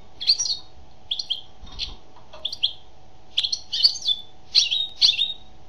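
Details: Song of a female European goldfinch: a lively run of bright, high, slurred twitters in quick clusters, each burst a fraction of a second, tumbling on over a faint steady background hum.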